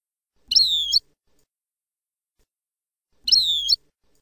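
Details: Goldfinch, European, singing a Palestinian-style song for tutoring fledglings: two identical half-second slurred whistles, each sliding downward with bright upper tones, separated by nearly three seconds of silence, a low thud beneath each.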